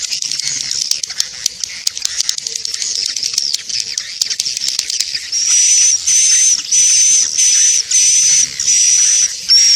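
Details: Swiftlet lure sound used by swiftlet farmers to attract the birds: dense, rapid high-pitched twittering chirps, joined after five seconds by a steady high whistled tone that pulses in regular blocks about every half second.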